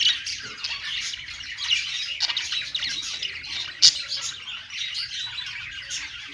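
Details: Perched budgies singing, a thick stream of chirpy, buzzy warbling from several birds, with one sharp loud click just before the fourth second.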